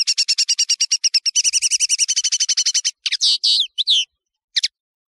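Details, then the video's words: European serin song from a tutoring tape for training serins: a long, rapid series of evenly repeated high chipping notes, speeding into a continuous jingle, then a few twisting, buzzy phrases and a final lone chirp. "تغريد طائر التفاحي"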